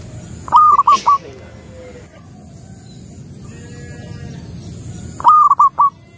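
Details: Local zebra dove (perkutut) in lively manggung song: two short bursts of three to four quick, rounded cooing notes at one steady pitch, about five seconds apart, with quiet low rumble and a faint steady high hiss between.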